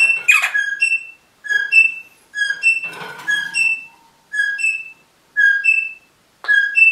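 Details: Pet rosella parrot whistling repeated two-note phrases, low then high, several times, interrupted by a few rough squawky noises and a burst of broad noise in the middle.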